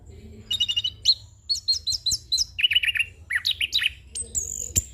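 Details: Young orange-headed thrush giving a rolling song full of fills, used for training and luring: fast runs of bright whistled and chirping notes, some trilled in quick series, with a low steady hum underneath.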